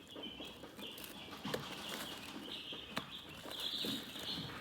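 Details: Chickens chirping calmly: steady overlapping high peeps forming a near-continuous thin chorus, with soft rustling and a couple of sharp knocks.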